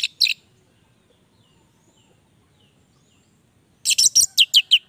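An orange-headed thrush sings a brief opening phrase, falls silent, then bursts into a rapid run of about eight loud, ringing, high notes.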